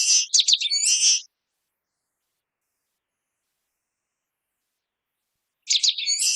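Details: Common waxbill singing two short, high buzzy phrases of rapid clicks and nasal, trilled notes, each lasting about a second, separated by a long silent gap.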